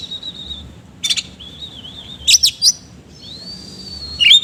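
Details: Kacer (oriental magpie-robin) singing the rough filler style: sustained thin wavering whistles broken by short harsh chirp bursts, ending in a long steady whistle and a sharp rising flourish.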